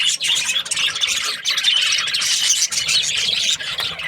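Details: A group of budgies keeps up a lively chirping chatter, high scratchy warbles and squeaks packed closely together at an even loudness.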